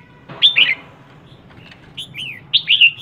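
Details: Red-whiskered bulbul female calling to rouse males: a loud pair of sharp slurred whistles, a quieter stretch, then a few clear downward-swooping notes and a final bright double whistle, with a faint background drone.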